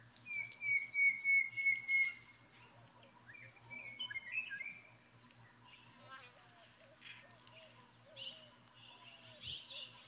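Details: Montezuma quail pair near Patagonia, Arizona, giving a male–female interaction call: a loud, long, slightly falling tooting whistle from the female, then the male's shorter chirps and softer wavering notes; faint hum.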